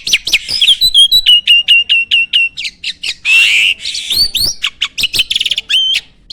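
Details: Captive starling from a farm in busy fill-in song: a quick series of even repeated whistled notes, then a rough grating burst, followed by looping upswept whistles and rapid clicking trills.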